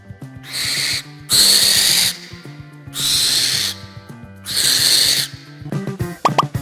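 A barn owl gives four long, harsh hissing shrieks, each under a second, spaced about a second apart, over soft background music.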